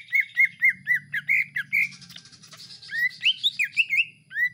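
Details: Greater green leafbird kept at home, singing in a mix with iora-like notes: a steady series of repeated downslurred whistles, about two a second, followed by a harsher passage and then more rising whistles.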